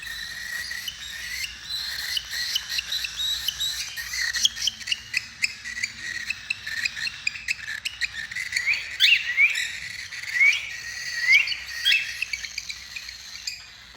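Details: White cockatiels chattering with dense, high chirps and quick upward-sweeping whistled notes.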